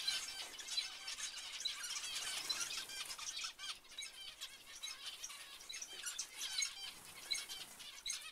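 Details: Zebra finches producing a thick stream of nasal beeps and chirps, busier at first and then easing into scattered calls.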